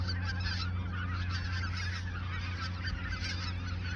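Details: A large goose flock in the Ochsenmoor reserve, autumn 2022, shortly before flying south; many birds honk at once in short, overlapping bursts above a low drone.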